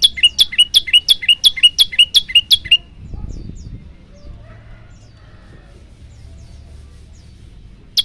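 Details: Prinia (prenjak lumut) rattling off about ten quick upswept chirps in under three seconds, then falling silent amid faint low rustling before a single closing note.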